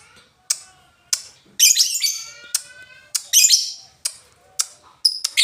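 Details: Lovebird from Indonesia in the styles locally called ngetik, ngoek and ngekek: crisp single ticks about every half second, interrupted by two harsh, shrill, chattering bursts of squeaky notes.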